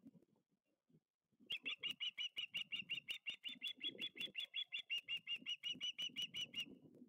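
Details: Young ospreys at the Lipka nest on 6 August 2023, 16:47, begging as a second fish arrives for the second youngster. A fast run of sharp, high chirps, about four a second, over low rustling at the nest.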